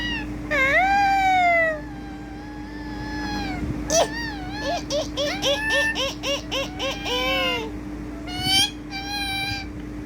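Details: Talking ringneck parrot kept as a pet gives a drawn-out rising-then-falling nasal note, then a quick string of short chopped harmonic syllables like rapid speech, with a sharp squawk near the end over a constant low hum.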